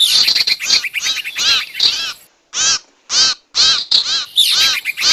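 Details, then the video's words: Lure recording of the sirtu, played to trap wild birds: loud, strident calls in quick bursts, each note a fast descending harmonic chirp, separated by brief silences, with a thin high hiss overlapping. "Suara pikat burung sirtu dijamin ampuh!! audio pikat burung sirtu anti zonk"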